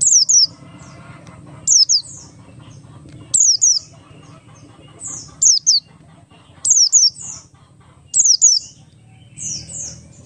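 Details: Oriental white-eye of the Buxtoni type singing in the ngalas style, used as a lure to get other white-eyes singing quickly: bursts of high, thin, sharply descending whistled notes, usually in pairs or triplets, roughly every one and a half seconds, over faint low murmur.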